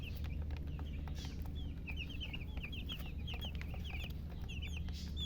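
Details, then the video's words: Young chicken chicks giving strings of thin, high, falling peeps in quick bursts, set against strong low droning noise and faint clicks. "silly chicken chirping sounds"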